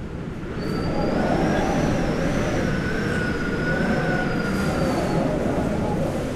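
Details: A rail vehicle rumbles steadily with loud low-frequency roar and a long, high, wavering metallic wheel squeal drifting across most of the recording, no animal voices present.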